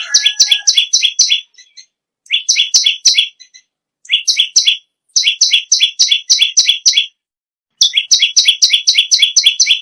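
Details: Energetic bar-winged prinia song, offered as tutoring material for other songbirds: bursts of fast buzzy double-pitched notes, several per second, separated by brief silences.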